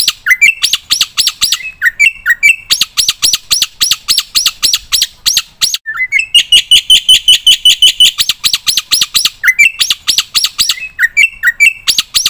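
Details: Black-winged myna song for training cage birds: loud, fast, harsh rhythmic chatter in long bursts, mixed with short rising whistles and a sustained bright whistled note near the middle.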